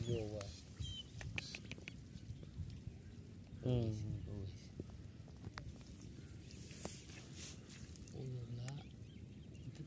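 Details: A hunting (decoy) watercock gives a new call: deep, hollow, gulping bursts, each about half a second long, roughly every four seconds, over a steady high insect hum and low background rumble.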